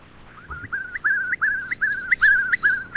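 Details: Eastern curlew (Numenius madagascariensis) repeating smooth whistled notes, about seven in quick succession, each drawn out then flicking upward at the end, growing louder toward the close, with faint higher notes above.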